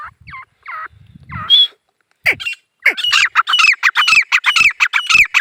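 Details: Male grey francolin (teetar) calling: a few curved, whistled notes, a pause, then a fast run of harsh, shrill notes about twice per second that grows louder toward the end.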